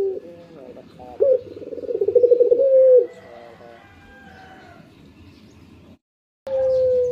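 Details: Morning coo of a kept Barbary dove: a quick stuttering roll swelling into a held low note, followed by quieter background and a brief gap, then another steady low tone.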